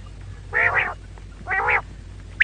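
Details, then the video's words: A female quail gives two harsh, nasal notes about a second apart, each lasting under half a second, with a faint click at the end. "female quail call maadi batair ki awaz"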